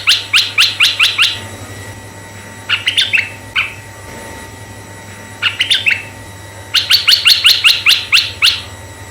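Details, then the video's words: Red-eyed bulbul in full song, played to lure other bulbuls: rapid strings of sharp descending notes open and close the passage, with shorter, lower chattering clusters between them and a faint steady hum beneath. "suara merbah mata merah"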